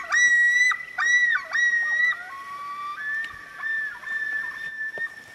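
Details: Common Loons calling on a northern Minnesota lake in the Boundary Waters in the evening: three loud, ringing notes in quick succession, then long, overlapping wails that slide and waver, with a faint splash of water.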